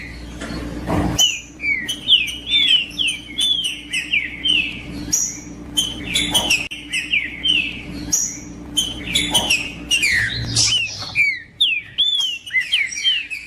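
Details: Rufous-bellied thrush (trinca-ferro) song played to warm up a kept bird: a long rapid series of rich whistled and slurred phrases, some swooping up then down, interleaved with sharp clicking ticks and a low background hum.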